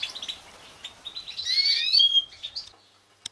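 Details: A captive-bred European goldfinch mutation from a 2016 season delivers a fast twittering phrase that swells into bright, liquid slurred whistles before ending abruptly. A single click is heard at the end.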